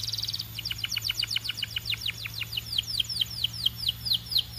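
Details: Belgian canary opening with a fast pulsed trill, then a long string of descending slurred whistles; a steady low hum runs underneath.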